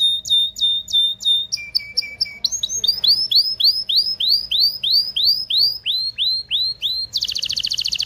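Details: Canary singing to excite mates into breeding: clipped repeated notes, a lower series, then a string of arched chirps about three per second, finishing with a buzzy high roll.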